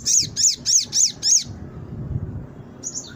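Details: Brown-throated sunbird singing, used to lure birds into quick response; five loud arched high notes repeated about four per second, then quiet, ending with a brief high twitter.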